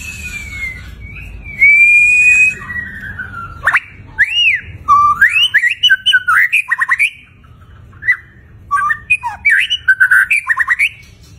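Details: White-rumped shama in gacor mode with a luxurious isian: long level and gently falling whistles give way to loud swooping notes and many rapid, sharply repeated chirps and twittering trills across the second half.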